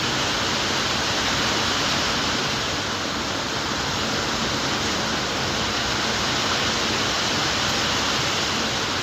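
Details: Continuous roaring hiss, much like a waterfall or downpour, runs throughout without any calling animal.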